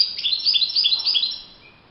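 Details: European goldfinch in open nature delivering a fast, tinkling twitter of rapid high notes for about one and a half seconds, fading to quiet, with a faint distant note near the end.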